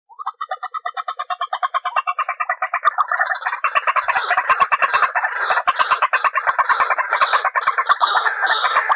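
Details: White-breasted waterhen lure call used for trapping: a fast run of harsh clucking notes that starts evenly and speeds into a dense, overlapping chatter of croaks and squawks.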